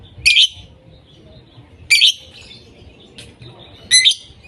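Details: Lovebirds voicing non stop with harsh, screechy chirps at irregular intervals of about one to two seconds, plus a fainter call between them.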